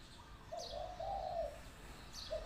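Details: Spotted dove kept as a decoy bird gives one drawn-out, mellow cooing phrase, a soft rolling hoot, while faint high chirps of other birds come through in the distance.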